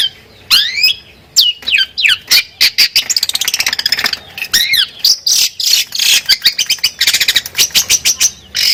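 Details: A champion long-tailed shrike (cendet) sings a loud, fast medley of sweeping whistles and harsh chattering notes, packed with borrowed phrases and barely pausing between them.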